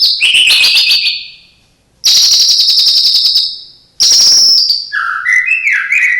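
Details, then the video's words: Caged white-rumped shama mimicking other birds: three bursts of loud high rapid trills separated by short pauses, the last breaking into lower, varied whistled and chattering phrases. "Murai batu isian cililin greja tarung love bird kenari"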